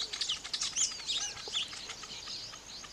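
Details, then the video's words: Weaver birds chattering during nest building, a busy jumble of high squeaky chirps and short whistled slurs overlapping throughout, with no other clear sounds. "weaver bird sound n nest building"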